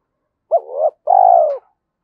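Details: Spotted dove singing a trapping-decoy coo in the 'giọng thổ' style, said to suit the forest: two drawn-out hollow coos, the first rising then sagging, the second longer and slightly rattling, no other sounds.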